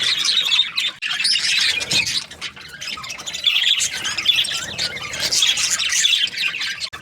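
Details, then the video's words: Budgerigar breeding pairs chattering: bursts of scratchy chirps and warbled squawks from several birds, easing near two seconds, then swelling again. "Budgies parrot chirping sounds | Australian parrot breeding pairs"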